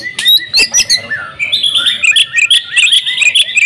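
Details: Oriental magpie-robin female calling a male to get him singing; loud chirps and rising whistles open the sequence, followed by a steady stream of quick, high, slurred notes with short gaps.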